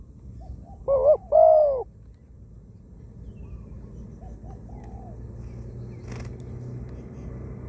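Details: Spotted dove, a wild-caught ground decoy bird with a small voice and plentiful coos. One loud two-part coo, a wavering note then a sustained hollow note, followed by fainter distant coos, with a steady low engine-like hum and a brief click.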